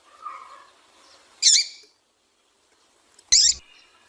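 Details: Female double-collared seedeater calls played to stimulate a captive male into singing: two short high buzzy chips about two seconds apart, with faint low background murmur before the first.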